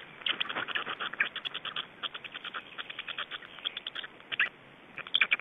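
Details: Estonian black storks recorded while feeding on 25 May 2012. Irregular strings of short, dry rasping notes, tightly spaced in places, with a few louder sharp notes near the end.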